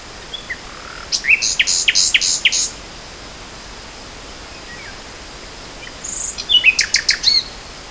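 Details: Nightingale in spring 2014 singing two separated bursts: a cluster of harsh, broadband clicking notes with a low slurred whistle before it, then after a quiet gap another rattling, high burst of chirps.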